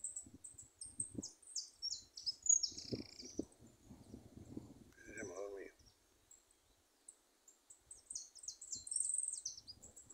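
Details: Free-living goldfinches in a little woodland thicket: bright, high chattering twitters open the recording, a man talks in the middle, and the tinkling, jumbled song returns near the close.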